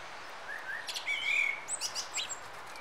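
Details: Juvenile dunnock: thin, high chirps. Faint rising notes lead into a brighter, slightly buzzy middle phrase, then a run of short sharp high notes, all over a steady outdoor hiss.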